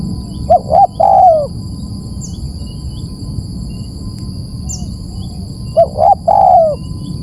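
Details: Lure recording of a spotted dove: two cooing phrases about five seconds apart, each with two quick notes and a drawn-out falling coo, over a steady insect-like high whine.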